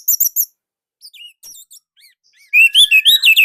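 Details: Orange-headed thrush from Indonesia, used as a master song. Crisp high chirps open the phrase, followed by scattered soft whistles, then a loud rolling run of repeated whistled notes.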